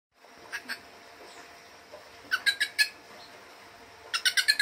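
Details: Wild bird, unused to people, approaching a person who offers food; harsh, buzzy squawking notes come in short bursts, a pair early, a quick trio mid-way and a rapid run of four or five at the end.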